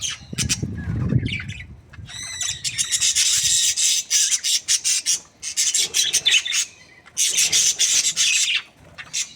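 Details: Budgerigar breeding pair, said to be happy; a low rustle at first, then long stretches of harsh buzzy chatter and scratchy squawks in repeated bursts.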